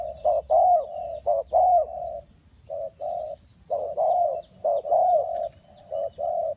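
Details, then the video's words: Spotted dove cooing at a trap in Ninh Thuận. Series of deep, mellow hoots alternate short and drawn-out, with a brief pause midway before the phrases resume. Faint high chirps are heard. "นกเขาใหญ่สายต่อดิน,The Sound Of the dove"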